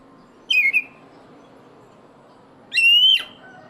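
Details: Loud-voiced black-breasted oriental magpie-robin giving two clear whistled notes: a short falling double whistle, then after two seconds a longer rising whistle.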